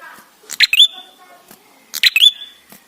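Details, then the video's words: Ashy tailorbird singing, played as a lure to make birds sing. Two phrases of crackly clicks, each ending in a rising, ringing whistle with a drawn-out tail. Faint low murmuring and a few soft ticks can be heard between them. "Prenjak gacor suara ampuh untuk pancingan"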